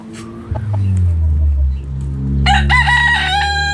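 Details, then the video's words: Backyard chickens playing and dust bathing in the dirt: a rooster's crow rings out with bright stacked harmonics near the end, over low rumbling background hum and soft clucks. "Chicken Noise Sound Roosters Crowing Hens Clucking!"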